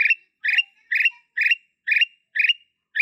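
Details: Blorok-type black-capped bulbul giving a steady series of short, rich chirps, about two per second, each ending in a brief downward slur, with silence between notes and no other sounds.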